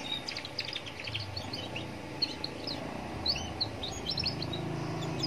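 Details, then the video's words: Young Atlantic canary singing amid roadside surroundings as a lure for other canaries; loose clusters of quick high twitters and brief whistled notes, spaced irregularly, over a noticeable low rumble of passing vehicles. "Pancingan kenari paud biar bunyi"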